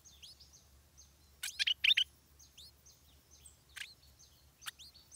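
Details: Stripe-throated bulbul chick begging, refusing food from its father and insisting on its mother; short high chirps and upslurred notes repeat rapidly, with a few louder sharp clicks in the middle.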